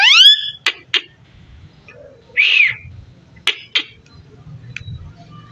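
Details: Parrot talking with a loud rising harmonic whistle, sharp clicks, and a soft hoarse arching syllable, then more short clicks over faint low room noise.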